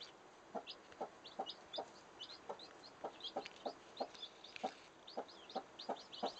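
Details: Domestic chickens: chicks hiding and playing under their mother hen's wings. Soft, low clucks repeat roughly every half second, while high, thin chick peeps chirp busily over them throughout.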